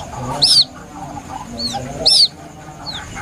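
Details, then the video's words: White-breasted waterhen chick calling as a lure: two loud, thin, down-slurred peeps about 1.6 seconds apart, each followed by a fainter echoing peep, over quiet low background noise. "Suara anak burung ruak ruak asli nelangsa"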